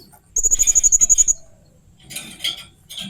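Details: Blue-crowned hanging parrot with an odd, fierce-sounding call: a rapid, even string of about eleven piercing high ticks in one second, followed by softer rough scratchy noise.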